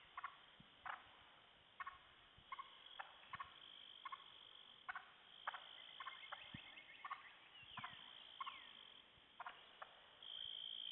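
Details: Wild turkey hens alarmed by a poacher's repetitive calling from a hill toward the sunset: short, sharp clucking notes, repeated irregularly every second or so, over a steady high-pitched insect chorus.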